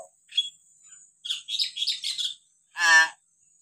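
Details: Hill myna calls from a set meant to tutor untrained or quiet mynas: a burst of chattering, buzzy notes over about one second, then a single loud, rich, nasal squawk after a brief pause.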